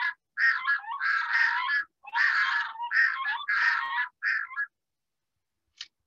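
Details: A breeding pair of Red-throated Loons, male and female, duet in a territorial, pair-bonding call on a summer breeding lake on Alaska's Chukchi Sea coast: harsh, braying, overlapping calls in rapid bursts for about four seconds, then silence with a faint click.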